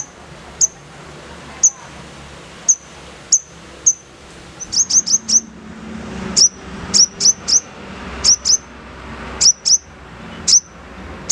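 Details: Crimson sunbird (sogon) giving rough 'nembak' singing: piercing high chip notes, first spaced about a second apart, then quickening into rapid runs of three to four, over soft background noise.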